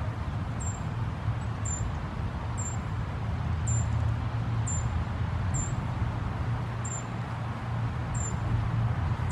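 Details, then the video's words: A young Allen's Hummingbird fledgling at Woodlawn Cemetery on March 19, 2017 gives thin, very high chips about once a second, nine in all, over a steady low rumble of traffic. "Allen's Hummingbird Fledgling"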